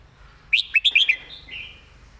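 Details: Master song of a caged red-whiskered bulbul, praised for clear, well-phrased delivery: one rapid phrase of about five sharp, looping whistled notes, then a faint trailing warble.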